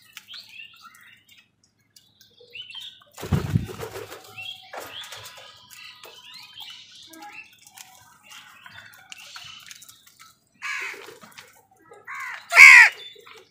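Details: Amid wild birds fighting crows for food, a long stretch of faint rustling, tapping and soft chirps gives way to two raspy crow caws near the end, the last one loud.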